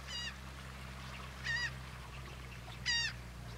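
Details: Black-bellied plover recorded at Port Mahon, Delaware, 24 May 2018, giving three brief harmonic, slightly nasal calls roughly 1.4 seconds apart, with a constant low hum underneath.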